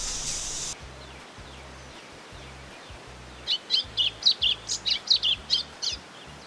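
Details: A White-throated Seedeater (golinho), said to imitate many other species, sings a quick run of about ten bright, sharp, high notes, roughly four a second, over a low steady hum.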